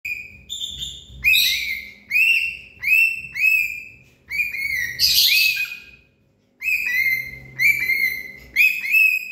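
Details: Parrot calling with loud, harsh, arched notes repeated in quick bursts roughly every half second, with a short louder screechy burst near the middle and a brief silence before the calls resume.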